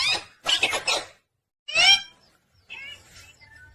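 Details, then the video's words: Pet talking parrot chirping indoors: two bursts of rapid, harsh harmonic chirps, then a single bright rising squawk, followed by faint scratchy twitters. "Parrot chirping sound & talking Parrot"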